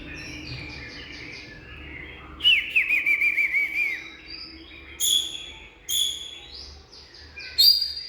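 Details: Oriental magpie-robin song: a quiet opening, then a wavering trilled whistle followed by scattered sharp chips and short clear notes; soft low background hum throughout.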